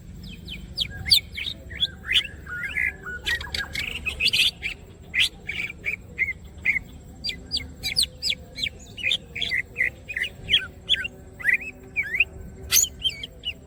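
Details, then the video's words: Greater green leafbird singing vigorously with wings open: a long, rapid run of high chirps, sharp ticks and slurred whistles, delivered in quick bursts almost twice a second, fairly loud and continuous. "green cucak birds open wings siip and gacor"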